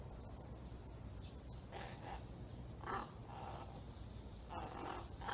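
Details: Young crow in Japan practising its calls, producing strange, speech-like sounds: soft hoarse, breathy bursts at intervals of about a second, quiet against low background hum.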